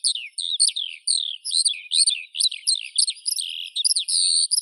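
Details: Skylark pours out a continuous high song of rapid warbled and trilled notes, with quick rising and falling slurs and short buzzy bursts, with no other sounds present.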